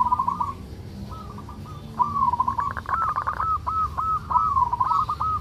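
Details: Zebra dove of the local Indonesian strain, 'ngerot' song played to boost breeding urge in listening doves: a brief coo, then rapid stuttered notes and a long run of crisp clipped pulses.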